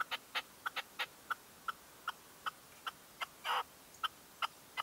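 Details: A red-legged partridge decoy calling at dawn in 2023 gives single crisp notes at steady intervals of about half a second, with one longer rasping call in the later part.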